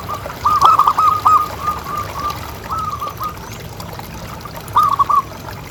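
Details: Strong-voiced local zebra dove, recorded as a master call to stimulate other doves. A long rippling series of soft coos opens, followed by quieter trailing notes and, near the end, one more short, lively burst.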